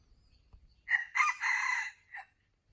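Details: A rooster gives a full crow: a short opening note, then a longer hoarse drawn-out middle section and a brief clipped final note, all within about a second and a half against near silence.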